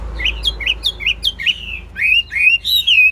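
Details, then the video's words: Caged Chinese hwamei singing, a bird said to sing and fight well: a series of short upward-hooked whistled notes, then longer sweeping slurred whistles, loud and clear over a faint low hum. "Hót tốt, Đấu tốt. Siêng mỏ, giọng hay"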